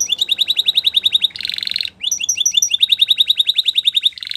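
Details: Training song of a canary, Spanish Timbrado style: rapid repeated metallic notes about four a second, broken by buzzy sustained rolls, then more clipped repeated notes ending in another rattle.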